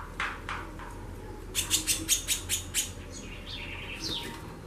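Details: Female white-bellied seedeater singing a lot, giving a few spaced high notes and then a fast run of about seven sharp buzzy chirps, followed by softer warbled descending phrases, with steady low hum behind.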